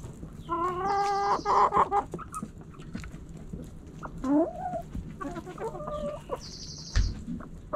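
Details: Backyard hens and roosters pecking and scratching; loud harmonic clucks and a rising squawk, irregular calls every second or so, with scratching clicks and brief high buzzy bursts.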